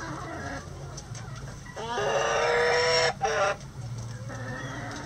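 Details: Chickens in a coop at feeding time in the morning give a long, loud, drawn-out harmonic squawk lasting over a second, with softer murmuring clucks before and after and a low steady hum underneath.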